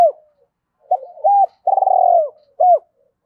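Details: Spotted dove cooing in the 'thúc rút bổi' manner meant to rouse decoys: a soft wavering lead-in, a level coo, a long rolling downward coo, and a final short hooked note, recorded close in a quiet setting.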